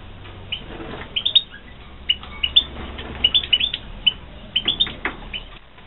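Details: European goldfinches (Carduelis carduelis) kept for breeding in 2016; bright, quick chirps and short twittering bursts arrive in irregular clusters, some notes sliding upward, over a soft low rumbling background.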